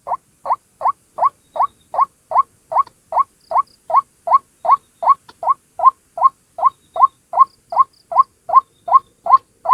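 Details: Lure call of a single White-breasted waterhen: clean, evenly spaced, rising croaking notes repeated about two and a half times per second, steady throughout, with a quiet background.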